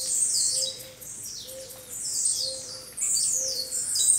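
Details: Many blue-black grassquits calling together in the walk-through natural aviary of São Carlos Zoo, São Paulo state, Brazil. Bursts of shrill, descending chirps come in waves roughly every second, with a soft low hooting tone repeating beneath.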